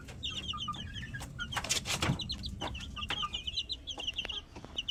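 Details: Plump chickens calling: a rapid, busy stream of high, thin peeping notes, many short and downslurred, overlapping one another, with scattered dull knocks and thumps beneath.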